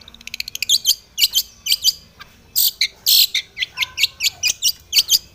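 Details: Long-tailed shrike aggressively singing for a rival, beginning with a rapid accelerating series of clicks, then dense harsh scratchy notes and chatters repeated several times a second.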